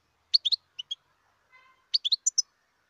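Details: European goldfinch, a wild bird, uttering short clusters of sharp, high twittering notes, two groups separated by a brief pause, with a faint low tone in between.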